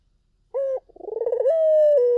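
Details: Collared dove singing strongly in a lure recording: one short, flat hoot, then a stuttering, pulsed coo that steadies into a long, level, slightly falling tone.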